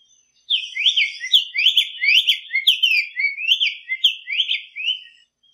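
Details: Singing wild black-faced tanager: after half a second of quiet comes a continuous chain of sweet, upslurred and downslurred whistles lasting nearly five seconds, with a faint thin whistle above.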